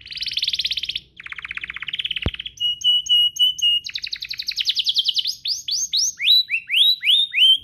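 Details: Canary song for prompting other canaries to sing: buzzy trills, a sharp click, steady repeated whistled notes, then a fast trill and looping upslurred phrases.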